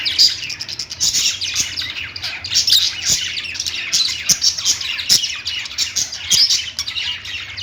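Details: Lovebirds singing and chirping: a dense, continuous chatter of many overlapping high chirps and short squawks, with scattered sharp clicks and no pause across the clip.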